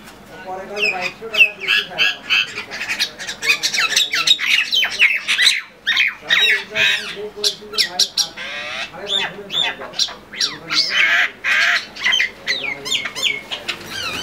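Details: Common mynas (shalik) quarrelling and fighting: dense bursts of harsh, squawking and chattering notes tumbling over one another almost without pause, with rising and falling screechy calls and brief low human voices in the background.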